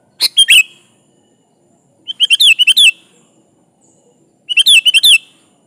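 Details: Sooty-headed bulbul in full, lively song, used as a lure to call a rival; short bubbly whistled phrases of quick rising and falling notes, repeated about every two seconds against a quiet background.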